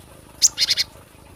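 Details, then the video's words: Cinereous tit, in a recording used for luring or song training: a single high note, then three harsh rasping notes in quick succession over quiet background hiss. "SUARA ASLI GLATIK BATU Buat pikat atau pemasteran"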